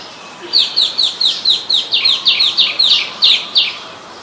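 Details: Adult Common Tailorbird in Ubon Ratchathani, Thailand, on 8 February 2021, giving a fast series of about fifteen sharp, high, down-slurred notes, roughly four per second, over faint background hiss.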